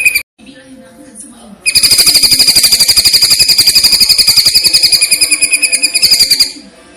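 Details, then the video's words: Masteran tutoring track of a greater green leafbird, platuk-versus-cililin style with pauses. A faint start gives way to a long, loud, even burst of bright, hard repeated notes, nearly four each second, for about five seconds. "masteran cucak ijo rasa platuk vs cililin dgn jeda"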